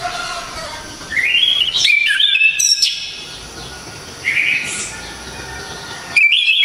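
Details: Orange-headed thrush from Java, singing a very loud, sharp, clear song of 'shots': whistled phrases that rise and slur, broken by short harsh bursts and pauses, with a fresh loud phrase starting near the end.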